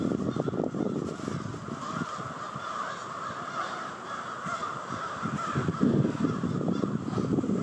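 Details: Large roosting flock of crows arriving at night in Victoria Park, Charlottetown, Prince Edward Island; a blurred wall of overlapping caws, partly masked by heavy low rumbling background noise, swelling louder toward the end.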